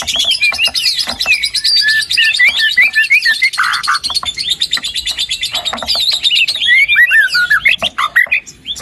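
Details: White-rumped shama in continuous rich song, used to stimulate a lazy bird to sing: dense mimicking chatter, trills and looping whistles throughout.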